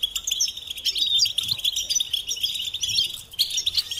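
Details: European goldfinch song: a fast, bright twittering of high chirps and liquid trills, running almost without pause over a steady high-pitched background chatter.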